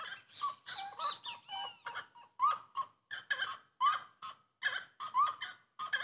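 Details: Grey-cowled wood rail, known locally as three-pots rail, in full song: raucous repeated phrases of harsh cackles with sharp upslurred whistled notes, several bursts per second, some higher squealing slides mixed in.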